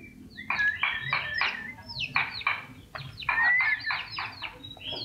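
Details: Lively pet common iora, raised from a nestling, in full loud song: strings of crisp, descending chip notes repeated rapidly in clusters, with a short rising whistle mixed in among them.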